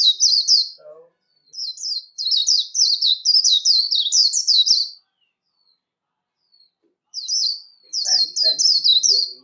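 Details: Warbling white-eye sings the líu competition song for voice training, high rapid twittering in phrases of a few seconds separated by silences, with soft lower chirps accompanying the final phrase.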